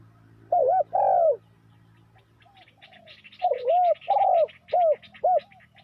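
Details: Spotted dove calling as a lure for trapping wild doves: a wavering coo and long croo, then a quick series of shorter rounded coos, while a rapid high buzzy insect-like trill runs in the background.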